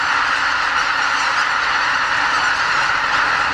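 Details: Greater white-fronted geese at Lake Miyajimanuma, a Ramsar-listed marsh in Bibai, Hokkaido, departing their roost in the early morning before sunrise in spring. Tens of thousands of overlapping high-pitched cackles form a constant, even din.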